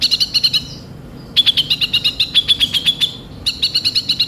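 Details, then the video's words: Konin, known as kolibri ninja (Van Hasselt's sunbird), sings as a lure to get birds singing: three bursts of rapid, high, clicking chips, the middle run longest, with a clean pause before it. "Pancingan suara burung konin bahan cepat gacor"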